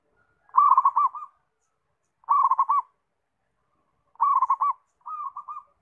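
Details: Zebra dove song: four quick rolling coo phrases, each a bubbling string of soft notes, spaced roughly two seconds apart, the last one fainter, with no other sounds.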